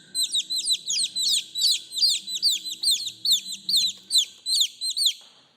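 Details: Young chicks calling to their mother: dense overlapping shrill peeps, each sliding downward, repeated rapidly over a low rumbling background, fading at the end.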